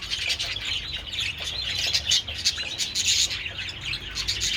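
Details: A group of budgerigars at treats in the sun on 27 February chatters densely, with quick bright chirps and buzzy twittering throughout.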